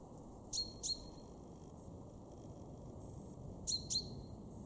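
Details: Male common chaffinch in a garden in Weener, East Frisia, Germany, March 2023, giving two pairs of sharp, ringing 'pink-pink' calls, each note a quick downward flick settling into a short high tone, against quiet background hiss.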